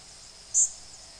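An Indigo Bunting gives a single very high, thin, buzzy 'zeet' lasting a fraction of a second, the call migrants give as they fly over at night, against faint background hiss.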